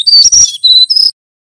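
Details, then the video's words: Brown-chested jungle flycatcher, a male from Banten, in nyuling song used as a master recording to train other birds. One short, high phrase of clear whistles, stepping down and then rising, under a second long. "Suara Burung SRDC Banten Nyuling Terbukti Cocok Untuk Masteran & Pancingan Sikatan Rimba Dada Coklat"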